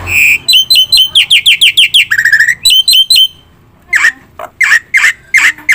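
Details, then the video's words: Black-winged myna singing loudly and persistently, used as a lure to set other birds calling: a rapid series of short rising whistled notes about five per second, a buzzy drawn-out note, then harsh squawking notes spaced evenly. "suara top jalak putih gacor - sekali putar bikin bunyi semua burung - masteran - pancingan"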